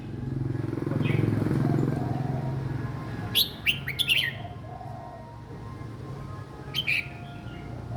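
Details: Young caged red-whiskered bulbul singing a simple song style suited for other young birds to copy; a few short sharp chirped notes in a quick burst near the middle, one more later, over a low traffic-like rumble.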